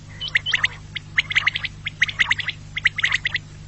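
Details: Quail call used to lure quail for hunting: clusters of short, sharp chirping notes in quick bursts, roughly one burst per second, over a steady low electrical hum.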